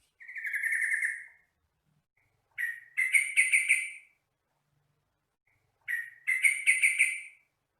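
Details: Yellow-vented bulbul song from a training recording for caged birds: one sustained warbling phrase, then two lively chattering bursts of rapid, liquid notes about three seconds apart, with silence between.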